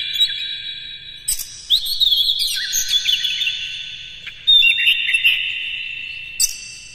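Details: Morning song of a captive Oriental magpie-robin used to excite other birds into singing with the tail spread. Whistled, warbled phrases are interrupted by loud sharp clicks, with one later phrase starting on a clear high note.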